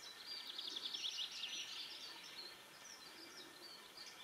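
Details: Eurasian three-toed woodpeckers, two pairs in a territorial dispute (females then males quarrelling) on a hill in Lillomarka, Oslo, Norway, 22 April 2015, give quick, high chattering twitters in a rapid burst, then scattered thinner notes, over forest hiss.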